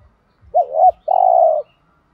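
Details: Spotted dove phrase in the thổ đồng voice: a rolling two-part coo rising and dipping, then a long level hooting note that fades at the end.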